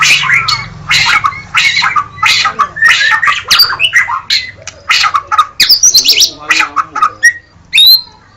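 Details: White-rumped shama delivering dense gacor song: fast alternating harsh buzzy bursts and whistled slurs packed closely, ending with a few high, thin piping notes after brief gaps.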